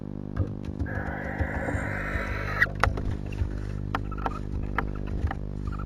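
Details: One of a barn owl pair gives a harsh, hissing screech lasting about a second and a half at 2:18 am on 20 January; owner wonders if the male shows early mating interest. A low mechanical hum and clicks run underneath.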